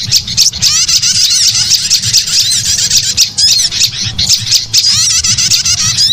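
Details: Dense high twittering and sharp chirps of a prinia, used as a lure to draw in birds, repeated in quick bursts with brief pauses and a faint low hum behind.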